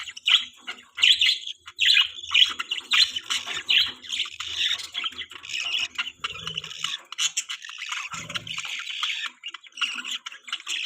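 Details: Pet budgerigars at morning feeding time for their chick: continuous busy chirping and warbling chatter, dense and unbroken, with a brief low knock midway.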